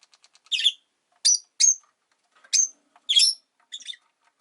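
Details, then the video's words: Rosy-faced lovebirds in a cage beside a window, five birds present, utter sharp, shrill chirps and squawks spaced irregularly, roughly six separate bursts over a few seconds. "Lovebird Chirping Sounds"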